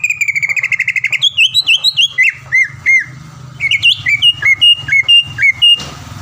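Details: Greater green leafbird, a caged champion songbird from Palembang, opening with a fast buzzy trill, then varied looping whistles and spaced falling notes, over low hum.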